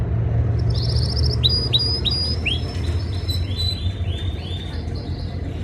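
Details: Canary singing in breeding season, trying to impress a female: a fast rapid trill near the start, then a series of upswept and arched whistled notes repeated about four per second, over steady low background hum.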